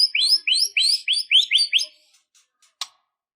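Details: Emotional, fighting song of a white-rumped shama: seven quick rising whistled notes in a steady run, then a few faint notes and one sharp click.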